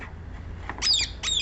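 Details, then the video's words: Two harsh, scratchy squawks from a rose-ringed parakeet, the first longer and the second clipped, preceded by faint softer notes. "Indian Green parrot or Rose-ringed parakeet"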